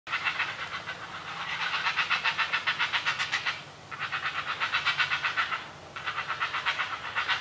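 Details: Great blue heron chicks begging noisily while a parent feeds them: rapid, harsh clattering notes about four per second, in three bursts separated by short pauses.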